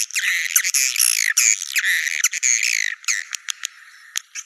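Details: Nest-attracting swiftlet calls: a three-second stream of high, rasping, warbling chirps in quick bursts, trailing off into a few scattered clicks and short chirps.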